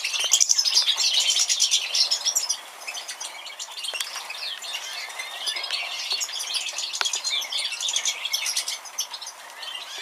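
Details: Major mutation European goldfinch from 2013 singing a dense, rapid twittering song of high chirps, trills and buzzy notes, louder in the first seconds, then continuing softer.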